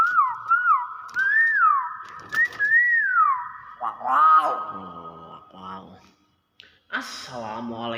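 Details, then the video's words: Nias hill myna giving loud, looping whistles that rise and fall, then speech-like imitated phrases such as the greeting "Assalamualaikum". "BEO NIAS SUARA ASLI"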